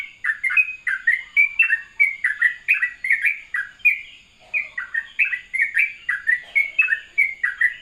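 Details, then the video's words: Fast, continuous morning song in the ropelan style from a sooty-headed bulbul: bubbly two-part chirps running together, with one brief dip in pace midway before the quick rhythm resumes. "ropelan syahdu trucukan dipagi hari"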